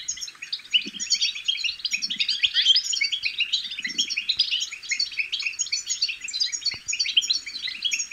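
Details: European goldfinch chicks giving their babbling song, played to stimulate goldfinches to sing. A dense, continuous, high twittering of overlapping chirps and trills with no pauses, plus a few faint low muffled bursts.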